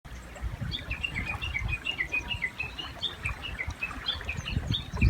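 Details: Japanese bush warbler singing beside a river, a long fast run of short sharp notes alternating between two pitches, with low rumbling water and background noise beneath.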